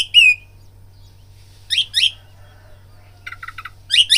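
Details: Oriental magpie-robin song used as a fighting lure: brief high whistled notes and quick chirp clusters spaced by silences over a faint low hum.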